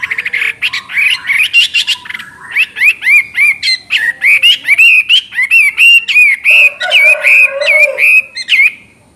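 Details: Chinese hwamei in full, loud song: a long stream of rapid, varied whistled phrases, slurred and ringing with some harsh notes, repeated steadily for nine seconds, with a lower warble partway through.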